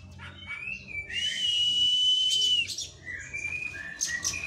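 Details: Oriental magpie-robin training after its moult, holding one long, clear whistle for about one and a half seconds, then giving softer slurred notes over a background hum.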